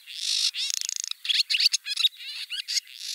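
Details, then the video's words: Barn swallow song from Siberia: a buzzy warble, then a fast dry rattle, followed by a run of varied twittering and chirped notes. "Деревенская ласточка. Голос ласточки."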